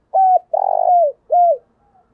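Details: Spotted dove cooing, played as a lure to get newly caught caged doves to coo: three mellow, hollow coo notes, with a longer throaty middle note, then a brief soft trailing note.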